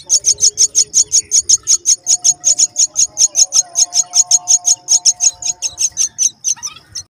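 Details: Brown myna working hard to feed and raise her chicks; rapid, high, thin chirps repeated about four times per second in a steady series, with faint low tones running beneath.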